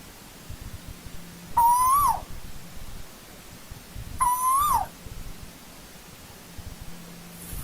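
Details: Asian koel in old-growth forest giving two strong rising whistles, each lasting about half a second and ending in a sharp fall, spaced roughly two and a half seconds apart over quiet background.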